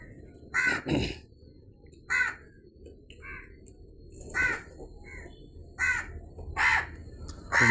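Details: Crow calling with scattered single harsh caws spaced a second or more apart, mixed with a few softer, higher chirps and a brief thump near the start.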